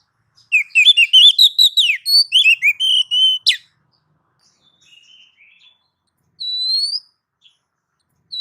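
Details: Kacer, the Oriental magpie-robin, singing a masteran training phrase meant to make birds reply: a fast burst of varied whistled notes over about three seconds, a harsh click, then a quiet pause with soft notes and a lone rising whistle.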